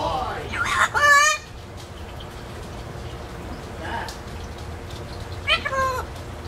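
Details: A parrot that talks but cannot yet whistle, living in an indoor free-flight aviary and brought out in a cage; a loud, harmonic, squawky word at the start, then quiet, and a second shorter wavering utterance near the end.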